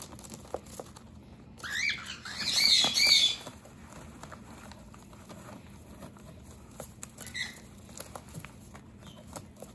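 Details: A cockatiel fighting off a human raiding its hideout gives one long scratchy, grating outburst lasting nearly two seconds, then a faint short call, with light tapping noises through the quiet stretches.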